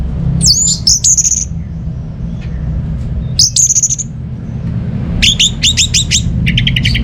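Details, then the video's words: Orange-headed thrush song to encourage idle birds at home to sing: sharp downslurred whistles in short groups, ending with a fast series of clipped repeated notes, low hum behind. "ANIS MERAH Mau Nyaut Gacor"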